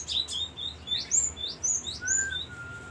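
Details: Magpie-robin uttering rapid, very high squeaky chirps and slurred twitters, closing with a long, level, soft whistle; a low background hum runs throughout.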